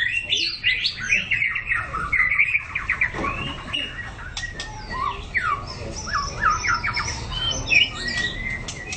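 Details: Song-training performance by a White-rumped shama: bursts of quick whistled and chattering phrases, some rising and falling slurs, broken by brief pauses, with low rumbling background.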